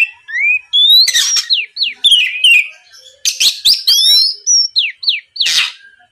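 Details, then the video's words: Lure song of an Oriental magpie-robin, meant to goad a rival bird into singing back: sweet rising whistles and downslurred notes interleaved with scratchy broadband bursts, phrases tumbling quickly one after another over a clean, quiet background. "MEMANCING KACER LAWAN AGAR LEKAS BUNYI NYAUT & GACOR, SUARA PIKAT BURUNG KACER GACOR NGEPLONG"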